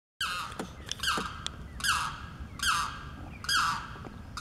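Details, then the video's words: Limpkin calling for its mate in breeding season on Blackwater Lake, Eustis, Florida: harsh, wailing screeches with rich harmonics, about five in four seconds with gaps, over faint background noise. "The Limpkin calling on Blackwater Lake"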